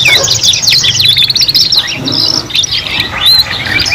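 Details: Several canaries singing together, recorded as a lesson for young canaries learning to sing: dense, overlapping high trills and rapid chirping phrases, with whistled rising notes near the end and a low steady hum underneath.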